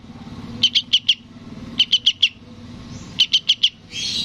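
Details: Sooty-headed bulbul nestling calling to its parent: three clusters of four crisp, high chirps about 1.3 seconds apart, followed by a short hiss.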